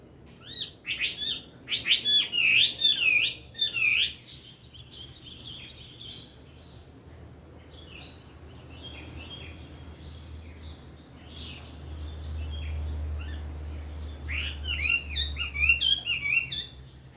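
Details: Chinese hwamei (Garrulax canorus), song.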